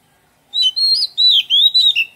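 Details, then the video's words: In a garden, an Oriental magpie-robin gives a short melodious phrase of five linked whistled notes, sliding up and down, in a quiet setting. "Oriental Magpie Robin - Melodious birdsong"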